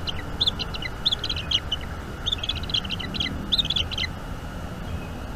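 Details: Bald eagle eaglet being fed squirrel by its mother at a northeast Florida nest, seen on a nest camera on the evening of 5 May 2021. Quiet, high, jerky chittering comes in clustered bursts, pausing between groups.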